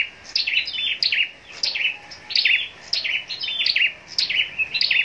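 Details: Scarlet-backed flowerpecker kept for contest singing in Long Thành, Vietnam, giving continuous high, thin twittering made of quick downslurred notes, over a light background hiss.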